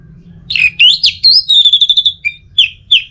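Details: Anis merah, the orange-headed thrush, singing teler-style masteran: swooping whistles, then a fast run of about nine evenly repeated high notes, followed by three short separate whistles. Steady low hum underneath.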